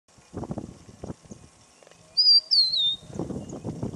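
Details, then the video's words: Rufous-naped lark perched on a branch, displaying and calling: a loud, clear, downslurred whistle with dry, low rattling bursts like fluttering wings before and after. "Rufous Naped Lark displaying"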